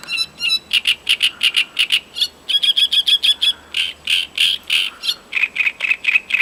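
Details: Voronezh great reed warbler song from 2012: rapid runs of loud, rasping chattering syllables repeated about three per second, shifting between harsher and slightly more tonal phrases in a continuous, churring rhythm.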